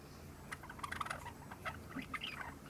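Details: A three-month-old Java sparrow practising subsong: scattered soft chirps and ticks in loose runs, rather quiet over a faint low background hum.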